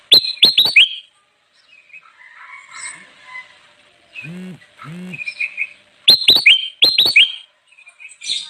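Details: Singing kutilang emas bulbul, recorded for luring wild birds: a fast volley of sharp descending whistles, quieter chatter and two low nasal notes, then another quick string of bright whistles.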